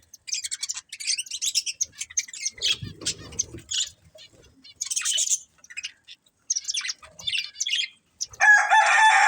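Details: Budgerigars of a breeding pair twitter in irregular bursts of thin, high, scratchy chirps with short silences, ending in a louder harsh harmonic squawk.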